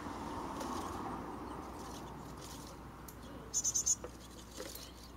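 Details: At a nest box in a garden tree in a residential area near a mountain village, a Japanese tit gives a quick burst of four very high, thin notes over a steady rushing hiss during the fledging of six chicks.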